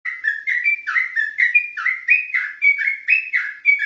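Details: Olive-backed tailorbird singing at night in the rapid ropelan style: loud whistled notes that slide and drop, repeated about four times a second in a steady run with no pauses.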